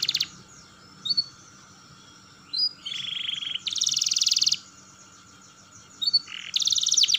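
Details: Canary song fragments for coaching young canaries to roll and twitter: short high notes, a buzzy trill and dense bursts of rapid chirping separated by quiet pauses, over a faint steady hum.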